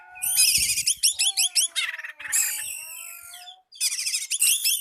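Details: Oriental magpie-robin calling out a rival, pouring out fast repeated upswept chirps, scratchy bursts and a harsh hiss, over a faint steady low hum.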